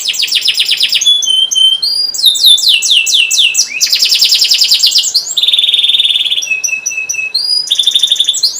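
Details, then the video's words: Long, loud canary song meant to prompt silent birds to sing: fast rolling trills and repeated whistled notes, changing phrase every second or two, with steady high rattling runs. "Kenari gacor panjang cuit cuit,pancingan kenari paud AGAR Bunyi,terapi ampuh kenari macet"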